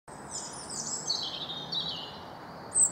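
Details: Blue tit in an English garden in the Wyre Forest, UK: a high, thin trill of descending notes that runs on through the clip, with a short sharp note at the end over a steady background hiss.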